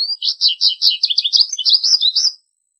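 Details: Continuous American goldfinch song, a lively string of sweet, high twitters and slurred warbles that rise and fall without a break for over two seconds, then stop abruptly.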